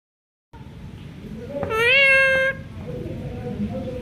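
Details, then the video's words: Pakistani pet parrot, called mithu, talking indoors: one loud drawn-out nasal, meow-like tone held for almost a second, preceded and followed by quieter murmurs and room noise. "Cute Pakistani Mithu Parrot Talking"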